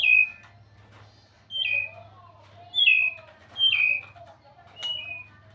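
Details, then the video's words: White-rumped shama giving clear, high whistled phrases that slide downward, repeated roughly once a second, with a faint lower warble between phrases and a low background hum. "เสียงนกบินหลาดง ร้องเสียงเพราะ"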